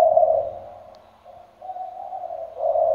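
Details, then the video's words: Spotted dove decoy bird with a full cooing repertoire: low soft cooing that fades, pauses briefly, then swells into a longer throaty coo. "cu gáy giọng sấm đồng, đủ bài bản (gáy, gù suốt ngày đêm)"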